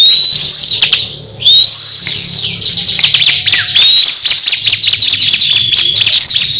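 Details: Caged crescent-chested babbler in a fierce singing duel with another ciblek bird, known for dense rapid-fire bursts; high rattling trills and ticks overlaid by clean rising whistles, nearly continuous and loud.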